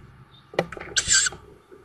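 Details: Young tawny owls that have just fledged, at a nest in woods outside Szokolya, Hungary, in May 2022: a single short rasping hiss, preceded by clicks and scratching at the nest.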